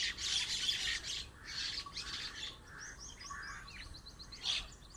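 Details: A flock of birds in a date palm chirps together in a busy overlapping chorus of harsh squawks and quick high notes.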